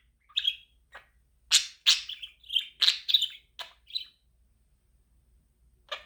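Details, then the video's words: Chirping budgerigar kept as a pet: about a dozen short tweets and scratchy chirps in a quick irregular run, then near silence before one last chirp. "Cute Budgie Different Chirping Sounds"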